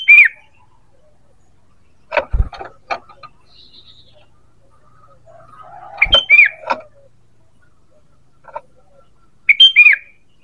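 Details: ['Sooty-headed bulbul calling as a lure for birds: three whistled phrases, each a quick rising note then a downslurred one, mixed with sharp clicks and knocks in between.']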